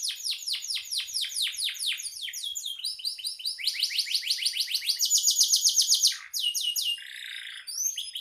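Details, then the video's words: Canary used as a master song for songbirds, delivering long series of rapid downslurred sweeps, rolling trills and buzzy tours, loud and continuous. "Suara burung kenari gacor"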